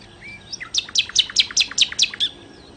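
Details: Rapid series of about eight bright, buzzy repeated notes from a nightingale (sikatan londo), evenly spaced and delivered in under two seconds after a soft opening whistle.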